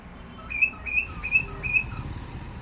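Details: Cockatiel giving four clear, level whistled notes about every 0.4 seconds, each followed by a lower short note, over a soft background hum.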